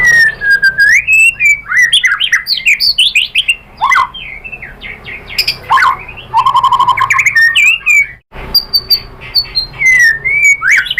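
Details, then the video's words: White-rumped shama lure song used to provoke a reply, a rich, varied flow of slurred whistles, quick trills and mimicked phrases, with a brief gap near the end before clear whistles resume. "pancingan MURAI BATU bikin EMOSI NYAUT BONGKAR MATERI ISIAN ¦ PANCINGAN MURAI ¦ SHAMA BIRD"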